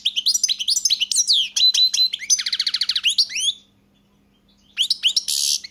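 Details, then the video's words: European goldfinch singing: quick run of bright, rising twittered notes, then a buzzy rapid trill, a short pause and more sharp high notes; faint steady low hum underneath. "Pesma štiglića"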